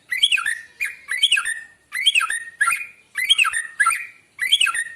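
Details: White-rumped shama in morning song, used as a lure for other birds: clear whistled phrases with fast rolling notes, each burst followed by a brief pause, repeated about seven times.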